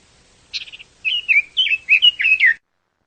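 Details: A Chinese hwamei gives a brief buzzy trill followed by a series of clear, looping whistled notes that swoop up and down, ending abruptly.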